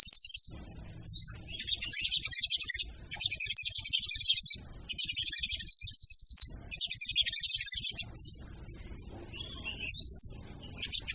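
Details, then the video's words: Female sogon calling, a sound played as a lure: four dense bursts of high, fizzing, rapid chatter, each about a second long with short gaps, then scattered thin whistled notes. "PANCINGAN SOGON TER AMPUH DENGAN SUARA SOGON BETINA!!!"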